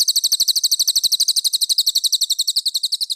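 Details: Master song of a cililin for teaching competition birds. A rapid, steady burst of shrill, high chirps, roughly four each second, with no background noise.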